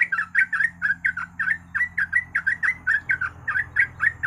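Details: Yellow-vented bulbul singing as a lure to prompt other birds to sing: a steady stream of short bubbly, slurred notes, about four per second, over a constant low background hum.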